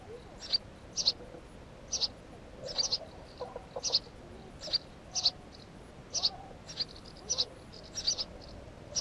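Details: House sparrow giving a string of sharp high chirps, sometimes doubled, spaced irregularly across the recording, with faint lower twitters in between.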